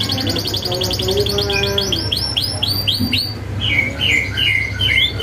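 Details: Singing canary in full voice, a tutor recording with sharp rolls: fast high trill of repeated downsweeping notes, then a lower whistled phrase and scattered chirps over a constant low hum.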